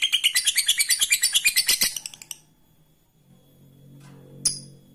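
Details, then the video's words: Ngekek from a lovebird, a chatter played to make rival birds answer and fight: a little over two seconds of quick, sharp, high pulses that taper off, then a faint low hum and a single click. "Suara burung Lovebird ini ampuh bikin lawan jadi ngekek terus"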